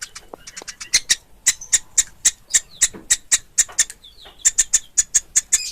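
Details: Young woodpecker (pelatuk ulam) calling: loud, evenly spaced high-pitched chip notes, about three a second, with a short gap midway and a faint thin whistle.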